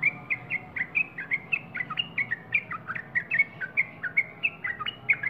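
A Yellow-vented Bulbul chatters in a quick run of bubbly, liquid notes, about four each second, over a faint low hum.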